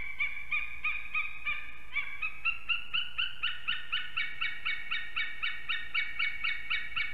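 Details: Eagle pair at their nest in Ķemeri, Latvia, calling at 6:01 am on 8 March 2024 during arrival and mating. A continuous, regular stream of metallic yelps runs about four per second, rising slightly.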